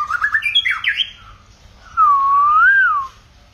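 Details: White-rumped shama in a many-voiced song: a quick series of chirpy, squeaky notes and sweeping slurs, a short pause, then one long pure whistle that rises and falls smoothly for about a second.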